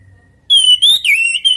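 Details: Orange-headed thrush (anis merah), natural song offered as a lure so other birds answer: clear whistled phrases, a steady high note, then a quick dip and recovery, then a short final whistle, in quiet surroundings.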